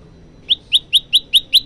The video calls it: burung prenjak lumut gacor